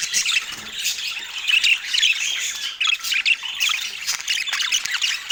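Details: Parakeet feeding on an autumn morning, calling in uneven bursts of sharp squawks and chirpy twitters that swell and drop, with short louder peaks through a steady high-pitched babble.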